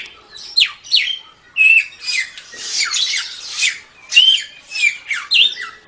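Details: Silver-eared mesia, called samyong, in 'tembak' song style for training songbirds: emphatic falling whistles and a few pure level notes, interspersed with scratchy, noisy phrases.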